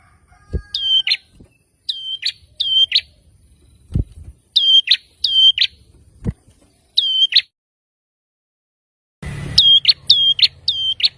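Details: Male bar-winged prinia, loud and insistent, singing to draw a quick reply from rivals; clusters of whistle-then-buzz phrases repeat with gaps, a few dull taps between, and a brief rush of noise near the end.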